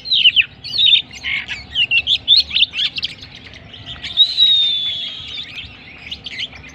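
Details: Oriental magpie-robin, a champion contest bird, in full song: a fast, varied run of bright whistles, chirps and scratchy chatter, then one long, clear sustained whistle near the end.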